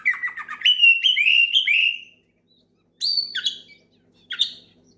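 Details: Loud oriental magpie-robin song used to call a rival and stir other birds into song: quick descending chirps leading into a series of sweet whistled slurs, then two sharp high whistles after a pause.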